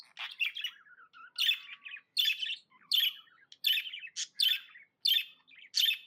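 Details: Happy budgerigar kept as a pet, chirping in a steady run of harsh, buzzy chirp bursts repeated at a regular pace, about one every three-quarters of a second, with soft twittering between them.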